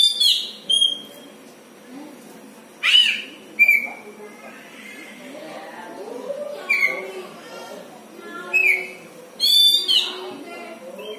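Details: {'caption': 'Home-kept Oriental magpie-robin giving unusual calls: short high whistled notes and rasping bursts at irregular intervals, with faint voices and household sound in the background.'}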